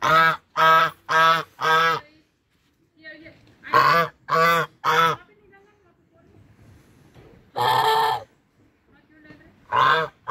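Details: Hungry brown Chinese geese call loudly and repeatedly, a rapid burst of four honks, then a burst of three, then scattered single honks with short silences between them.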